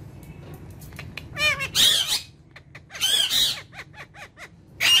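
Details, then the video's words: Three pet ringneck parrots chatter in short, wavering, speech-like phrases broken by harsh, shrill squawks every second or two, all high-pitched and bright. "Ringneck Talking Parrots"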